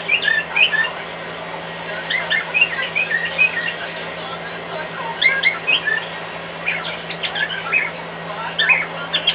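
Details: Indoor pet cockatiel singing along with a hairdryer in the next room; scattered short chirps and whistled notes, quieter and broken into small clusters, set against a continuous broadband whir and low hum.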